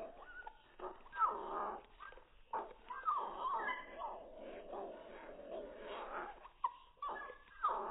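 A cockatiel makes odd whining, squeaky calls that slide up and down, broken by short sharp whistled chirps every second or two. The sounds are almost dog-like.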